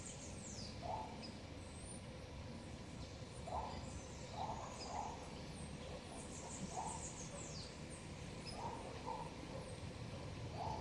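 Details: A male Surucua trogon in a garden gives soft, low hooting notes in loose pairs every second or two, over a steady background hum and thin high chirps from other birds.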